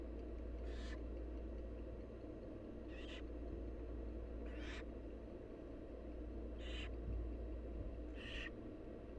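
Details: Wild barn owl chicks begging during a feeding by their mother. Five harsh, airy hisses repeat every one to two seconds over a persistent low-pitched drone.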